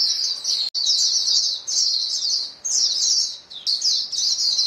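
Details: White-eyes in a flock call back and forth. Bursts of shrill, sibilant twittering run together, with a short silent break near the start.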